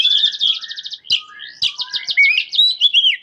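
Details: White-rumped shama in lively song for training other shamas: a fast pulsing trill, then high whistled sweeps and quick chattering notes.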